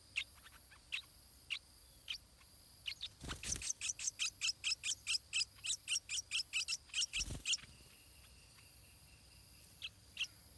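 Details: Nestling stripe-throated bulbul being fed by its parents. Sparse high peeps give way to a rapid, even string of piercing chirps, about two or three a second, framed by two brief rustling thumps, then fade to isolated notes.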